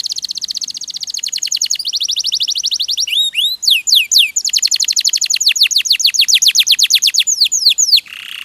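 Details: Singing canary used as a tutor recording for songbirds; long run of rapid repeated downslurred notes, a few rising swoops in the middle, then more quick trills ending in a low buzzy note.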